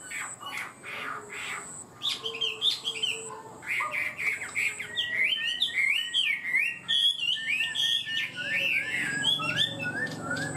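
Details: Hwamei delivering high-pitched song that begins readily and holds steady; after a quieter, scattered start come rapid strings of rich, looping whistled notes with sharp rising and falling slurs, continuing to the end.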